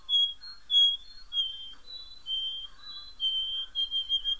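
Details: Domestic canary song: long steady whistled notes held at one pitch, repeated in a slow chain of rolls, with faint room noise beneath.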